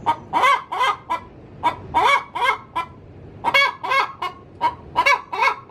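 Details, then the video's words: Laying hen giving her cackle in the coop: loud, hoarse, arched clucks in uneven groups, with a short lull before another strong run of notes. "Suara asli ayam betina"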